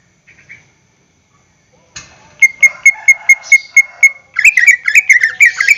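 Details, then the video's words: Greater green leafbird song used as a lure to make caged birds sing: a faint short phrase, then a run of about eight clear, evenly repeated whistled notes, ending in a fast jumbled chattering burst. "PANCINGAN gacor cucak hijau suara Full panjang untuk pancingan burung bahan agar SELALU GACOR"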